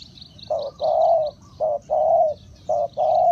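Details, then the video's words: Spotted dove used as a decoy for wild birds, giving loud paired coos, a brief note followed by a long steady one, while small birds chirp high and quickly in the background. "Chim cu gáy chiêu kích mồi tập bổi nhanh nổi hiệu quả"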